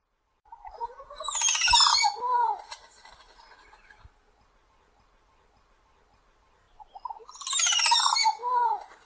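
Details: Recongo singing two loud phrases about six seconds apart, each a dense burst of harmonic whistles mixed with buzzy, high chattering notes and closing with lower slurred whistles; near silence between phrases.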